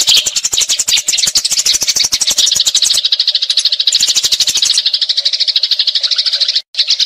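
Eurasian tree sparrow fighting chatter: a rolling stream of harsh, high chirps, several a second, barely pausing for seven seconds.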